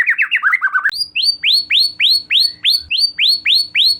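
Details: White-rumped shama lure song to get another shama singing: a quick warbled run, then a loud click and a string of about ten bright downslurred whistles, each roughly a third of a second apart.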